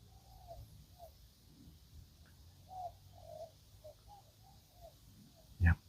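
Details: Spotted doves, a decoy bird and wild birds answering from big trees near palms, give soft mid-pitched coos in short phrases over several seconds. It is a sunny, gusty afternoon with steady wind rumble, and a sharp knock ends the clip.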